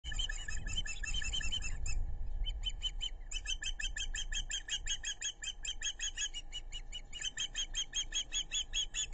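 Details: Osprey family of two parents and two chicks at their nest on the Narrow (Pettaquamscutt) River, South Kingstown, Rhode Island, 11 July 2022, caught by a webcam: rapid runs of shrill, harmonic whistled chirps, briefly pausing, over low rumbling background noise.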